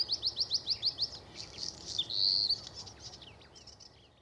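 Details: Bluethroat singing on 7 May: a rapid run of seven identical upward-flicked notes, then a loud drawn-out ringing buzzy tone, followed by softer varied twitters and clicks that fade away.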